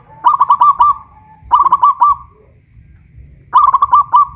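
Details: Kept zebra dove of the local Pajajaran type, Kuningan, West Java, singing from its cage raised on a hoist pole: three bursts of quick, bubbling coos with a sustained ending note, repeated roughly every one and a half seconds.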